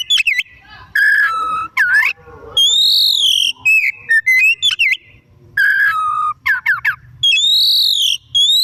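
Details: Energetic afternoon song of an Oriental magpie-robin, used as a lure to spur other birds: a fast varied run of clear whistles, sweeping slurs and arching high notes with brief gaps, the arching phrase heard twice.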